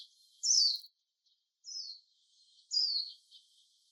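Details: Three high, thin, descending call notes from a wild warbling white-eye, each about half a second long, separated by short silences.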